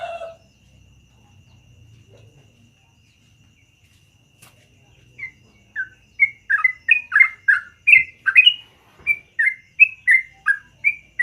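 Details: Morning song of a trucukan, the yellow-vented bulbul: after several quiet seconds, bright liquid notes build into a rapid, lively warbling sequence.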